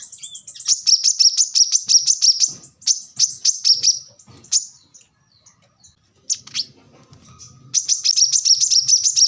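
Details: Plain-throated sunbird, known locally as kolibri kelapa, manggar, wiceh or korlap, singing in a chatty gacor style. High, thin notes repeat rapidly in several long bursts separated by brief pauses, with faint low knocks in the background.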